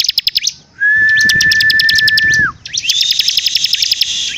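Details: Song of a bar-winged prinia: rapid chips, a long steady lower whistle ending in a downward slur, then a harsh buzzy trill with repeated notes.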